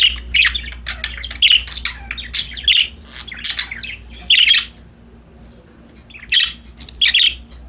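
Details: Happy budgerigars at play chatter in quick raspy chirps and warbles, dense at first, then a short lull before more loud chirps, over a steady low hum.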